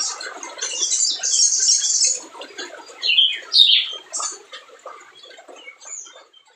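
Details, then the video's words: Spiderhunter singing hard, a lure for birds reluctant to call: a buzzy high chatter at first, then sharp, loud squeaky slurs that fade into scattered faint chirps. "SUARA SOGON GACOR"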